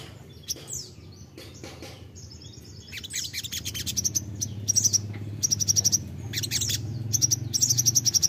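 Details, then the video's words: Crimson sunbird, locally sogok ontong, starting with sparse thin notes, then building into repeated high trilled bursts with ticking accents, against a steady low hum. "pancingan ampuh sogon bahan langsung nyautt"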